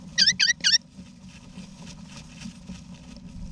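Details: Eastern rosella parents and babies sharing a nest box in an Australian backyard, wild birds, November 2018; three sharp, bright, looping high calls ring out in the first second, then only faint low hum remains.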